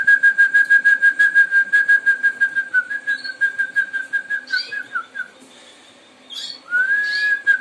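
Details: Harz Roller canary with a deep, hollow, rhythmically pulsed roll, about three pulses a second, that fades, pauses briefly, then resumes as a smooth rising whistled roll.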